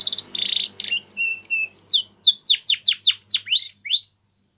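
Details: Captive canary singing a training song: opens with a buzzy roll, then steady level whistles, then a run of loud sweeping downslurred notes repeated about three per second.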